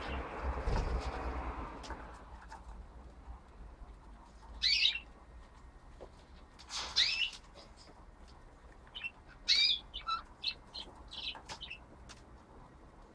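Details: Two six-month-old sister budgerigars, both female, playing with a nestbox in August 2013, give short, scratchy chirps and warbles in scattered bursts over a low background rumble.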